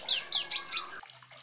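Red siskin giving a quick, high twittering song of bright chirps and short trills for about one second, then fading to faint quiet.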